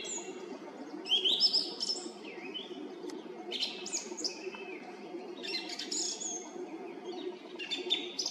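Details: A song thrush sings at 18:50 from a roadside treetop in Zarechny, April 2021; a string of varied sharp, high whistled and chirping phrases, each a second or so long, over a low background rumble.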